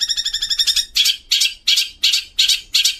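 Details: Long-tailed shrike (cendet) song, used as a training recording with sparrow (burung gereja) and 'kuntilanak' fill phrases: a quick run of about fourteen bright, high ringing notes, then six harsh, buzzy chirps about a third of a second apart.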